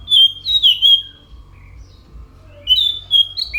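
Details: Anis macan delivering two short whistled phrases of clear, sliding notes, separated by a quiet gap of about one and a half seconds.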